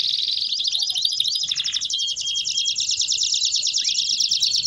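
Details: High, even canary trill in baderna style, a sustained buzzy roll of very fast repeated notes with a thin whistle through the middle and a rising sweep near the close.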